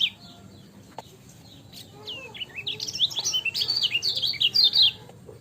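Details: Lemon-bellied white-eye singing in ciak style. Scattered faint notes give way midway to a building stream of high, squeaky twitters that grows louder and denser, then fades near the end.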